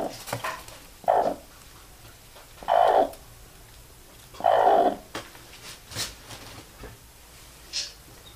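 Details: Hen calling her little chicks to bed, three low, short clucks spaced about a second and a half apart, with faint clicks and an occasional high chick peep.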